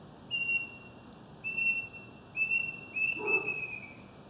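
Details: A bird sings at night in Kuching, East Malaysia: four long, pure, level whistles on one high pitch, about a second apart, over a steady background hiss.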